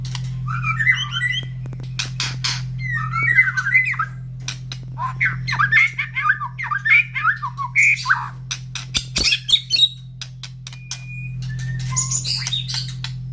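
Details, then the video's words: Morning song of a caged White-rumped shama after feeding, near other breeding birds joining in: bursts of tangled chattering and whistled notes split by short pauses, sharp clicks between, and a steady low hum throughout. "Suara Murai Batu Gacor"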